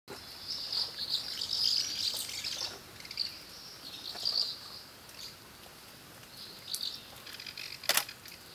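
Asian house martins give high, dry chirping twitters in short bursts every second or so, with a few sharp clicks and faint outdoor background noise.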